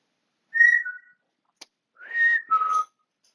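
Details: Whistling African grey parrot kept as a pet, recorded indoors on 20 August 2022: a clear whistled note dropping to a lower tone, a click, then a rising whistle followed by a lower sustained one.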